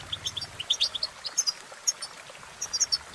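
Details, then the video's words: Brief burst of European goldfinch song: a string of quick, clear, high chirps and tinkling twitters, evenly paced, with faint low hum at the start. "innovative Ways To impress The Goldfinch With Bird Melodies"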